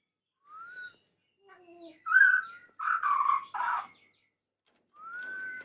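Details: Male white-rumped shama calling the female: clear slurred whistles, rising then leveling, separated by short pauses, with a burst of harsher, buzzier notes in the middle and a final drawn-out whistle.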